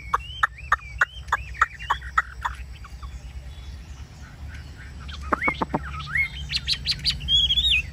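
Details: Kept Chinese hwamei on a peach branch, singing with its beak open on a very hot day: a burst of sharp, down-slurred whistles about three a second, then after a pause rising, rich whistled phrases over a low hum.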